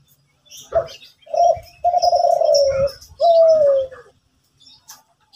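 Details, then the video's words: Lively morning singing from a zebra dove in Kelantan: a short coo, a quick rolling note, then a long vibrating trill and a clear coo gliding downward, with faint chirps and clicks around it. "Derkuku Kelantan Gacorrr pagi hari"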